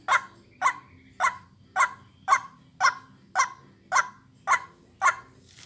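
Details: White-breasted waterhen (ruak-ruak) calling for bird luring: ten harsh, honking croaks at a steady half-second rhythm, accompanied by a constant high electronic tone and a low hum.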